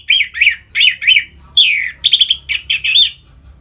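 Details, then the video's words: Caged orange-headed thrush, anis merah, in 'ngeplong' full song to excite birds into breeding condition; an unbroken string of loud slurred whistled phrases, some harsh and rasping, tumbling one after another. "Suara Ngeplong ANIS MERAH Gacor Memancing Burung Agar Birahi dan Lanjut ke Tahap Teler"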